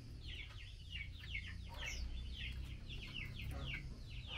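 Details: Repeated quick down-slurred chirping from a female blue-winged minla calling her mate as mealworms are offered, steady throughout over a constant low hum.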